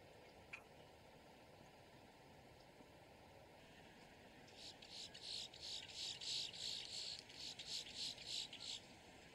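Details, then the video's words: Boat-tailed grackle, given as a warning or distress call: after a quiet start with one click, a fast series of rasping, buzzy pulses about three per second, growing louder. "Grackle bird call / song / sound | Boat tailed"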